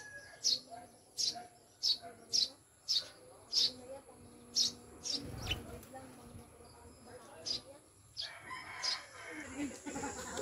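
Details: Eurasian tree sparrows (maya), newly kept birds from the mountains, giving sharp, dry chirps about every 0.7 seconds, then more scattered, over a faint steady high hiss and low background murmur.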